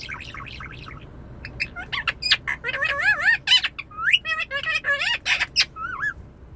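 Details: Indian ringneck parakeet kept as a pet, talking to a car mirror: a burst of chattering, warbled speech-like phrases with wavering, sliding tones and sharp squawky clicks, in a quiet indoor space.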